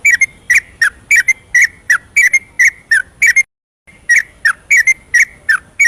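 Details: Yellow-vented bulbul singing at night in ropelan style, a rapid continuous song, used as a lure to stir lazy birds into singing: loud bubbly whistled notes about three per second, with a short pause near the middle.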